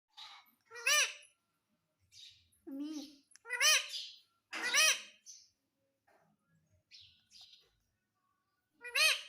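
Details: Pet green parrot, a ringneck, mimicking speech, repeating "mummy": loud harmonic-rich calls with arched, rising-falling contours around 1.5, 3.7, 4.8 and 9.2 seconds, between softer chattering and brief lower notes.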